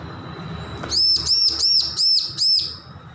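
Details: Bar-winged prinia youngster, newly off hand-feeding, learning its voice: five evenly spaced, high, arching whistled notes delivered in a brisk, regular series against a quiet backdrop.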